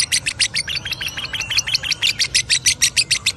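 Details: Lovebird in ngekek song, a loud, steady rattle of shrill, clipped high notes repeated about seven times per second.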